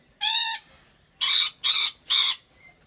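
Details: Rainbow lorikeet held at a wildlife park in Aceh Besar, Aceh, Indonesia: one nasal, ringing, harmonic squeal, a pause, then three evenly spaced, loud, harsh screeches.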